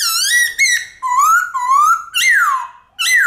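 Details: White-cheeked laughingthrush singing a long-drawn forest-style song, played to stimulate pet laughingthrushes to sing: a loud run of clear, rich whistled notes sliding up and down, several long swoops with brief gaps, no other sounds.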